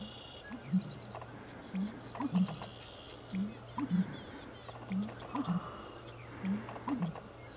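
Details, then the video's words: An American bittern calling as part of a trio in a grassy marsh at Goose Pond, giving deep, hollow, gulping pump-er-lunk phrases roughly every one and a half seconds, over a steady low hum with faint distant birds. "American Bittern vocalizing"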